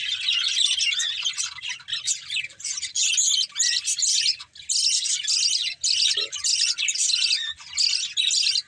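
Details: Chirping from a pet breeding pair of budgerigars: bursts of busy, high-pitched chattering warble lasting one to two seconds, separated by short gaps, with overlapping scratchy twitters and occasional squawky notes.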